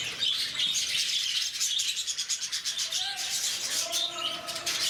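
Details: Lovebirds in Bannerghatta Zoo, Bangalore, producing a loud, high, buzzy chatter of overlapping squeaks, while faint human voices are heard beneath the flock in the second half.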